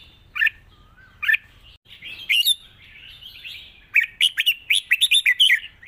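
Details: Red-whiskered bulbul singing in the wild song style with long phrases and a light voice: two short warbled notes, a pause, then a rapid run of bright chirping, rising and falling whistles near the end.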